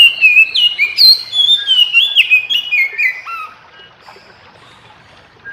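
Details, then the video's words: Answering other magpie-robins in the morning, an Oriental magpie-robin pours out a varied string of fluid whistles that climb and drop quickly, finishing with a lower falling note before quiet. "Kicau KACER Pagi Hari KACER Lain Denger Langsung Ikut GACOR Nyaut Koar Koar"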